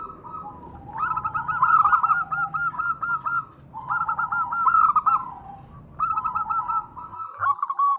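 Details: Local zebra dove, a female calling to the male, gives three bursts of rolling, hooked coos, each lasting about a second and a half and separated by short pauses, over faint background rumble.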